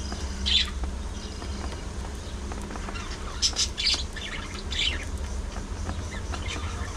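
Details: Pet budgerigars kept together, singing, talking and squabbling: a few sharp high chirps, then a cluster of buzzy chirps near the middle, spaced apart over a constant low background hum.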